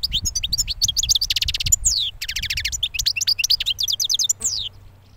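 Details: Young European goldfinch from the previous year, just out of its moult, sings a fast, continuous stream of liquid twitters, tinkling notes and buzzy rattles, with a few falling slurred whistles, before ending abruptly.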